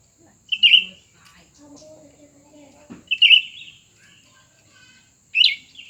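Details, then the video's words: Two cucak ranting, old and new, in a singing duel; three short bright warbled bursts roughly 2.5 seconds apart, with a soft low tone and a dull knock between them. "pertarungan antara dua burung cucak ranting baru dan lama"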